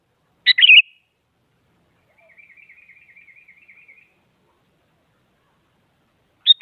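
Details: Sooty-headed bulbul singing to push rivals into song: one loud bubbly whistled phrase, then a long, soft, even buzzing trill for about two seconds, and a sharp note cut off at the end.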